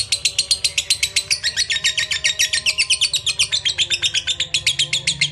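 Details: Lovebird giving its ngekek song, a long fast chattering run of harsh, buzzy notes repeated about four times a second without a break through the whole stretch.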